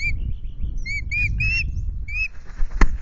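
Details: Loch Garten ospreys at nest changeover during incubation, 10 May, two eggs: a few scattered whistled notes, some rising, others downslurred, followed by a sharp click and rustling.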